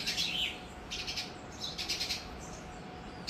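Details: Sparrow colony at a temple in Bharatpur, Rajasthan, India: bursts of high chattering chirps from several birds, separated by short gaps, over a steady background hiss and low hum.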